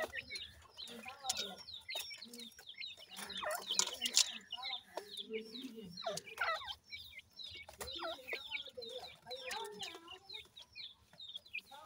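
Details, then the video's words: High, rapid chirping of many baby francolin (teetar) chicks, notes sliding downward and crowding together, with a few louder broadband bursts and low clucking in the background. "baby teetar francolin chicks, partridge birds lovely awaz"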